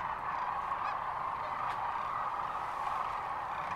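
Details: A dense, unbroken chorus of Sandhill Cranes at Rowe Sanctuary, Gibbon, Nebraska, near Kearney, on 13 March 2014: countless rolling, trumpeting rattles overlap into a steady mid-pitched roar with no pauses.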